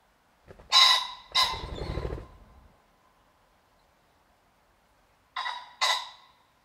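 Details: Common pheasant, countryside bird of Europe and the UK, giving two loud harsh calls followed by a low whirring wing flutter, a pause of several seconds, then two more rasping calls in quick succession.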